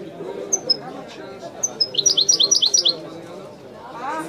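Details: European goldfinch, widani song style: two isolated high whistles, a pause, then a fast, regular trill-like string of bright chirps lasting about a second, set against a constant low murmur.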